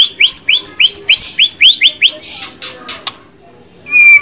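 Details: White-rumped shama repeating rising whistled notes about four times per second, then a few buzzy bursts, a quiet pause and a final clear whistle.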